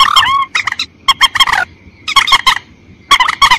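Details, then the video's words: White-breasted waterhen calls played to lure the bird in rice fields: bursts of loud, nasal honking notes and curved wailing tones, grouped in clusters about a second apart over a low background rumble. "SUARA PEMANGGIL BURUNG MANDAR"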